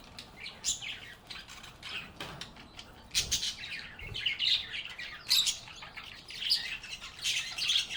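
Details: Happy parakeets chirping and talking among themselves: irregular, raspy chatter and shrill chirps of varying loudness, with brief louder bursts and a faint flutter-like rustle in places.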